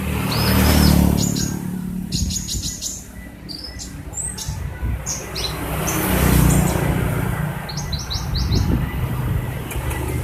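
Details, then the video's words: Kolibri ninja in lively song: scattered sharp, high chirps and brief trilled clusters, irregularly spaced, partly masked by steady low rumbling noise like passing traffic. "Kolibri ninja gacor banget"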